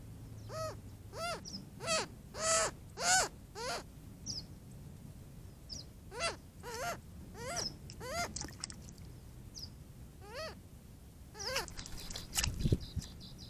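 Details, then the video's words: Young Cooper's hawk visiting a watering hole with its mother on a hot day, complaining to be fed: a long run of harsh, wailing, arched cries repeated rapidly, loud at first then fading, with a few clicks and a low thump near the end. "Young Cooper's Hawk Complains to its Mom"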